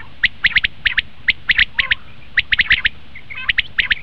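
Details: Common quail, used as a hunting lure, calling rapidly: dense runs of sharp three-note phrases, crisp and quick, following one another almost without pause.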